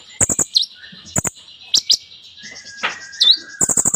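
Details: Energetic song of an Olive-backed Sunbird (kolibri ninja), packed with imitations: bursts of dry rapid ticking, high sliding whistles, a brief harsh rasp, and a soft lower whistle.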